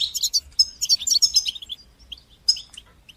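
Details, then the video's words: European goldfinch song to stimulate fledglings to sing. A busy flurry of sharp chirps and twittering trills fades into a few scattered single notes, then a final bright burst. "تقنيات تحفيز طيور الحسون لتشجيع نجاحها في التغريد"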